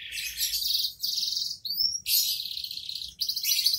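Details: Canary song in the 'gacor dor' style, with dense bursts of rapid high trilling broken by short gaps and a single clear rising whistle, faint low hum beneath.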